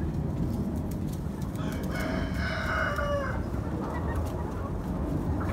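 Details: Chickens at a fairground eating fresh pumpkin at Halloween; a rooster's fairly faint crow rises and falls over about a second and a half amid crackling pecking and low background noise.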